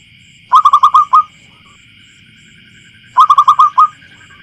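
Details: Wild local zebra dove, field recording with a clear, loud voice: two rattling phrases of five to six quick rising coos, spaced about two and a half seconds apart, against a faint continuous high tone.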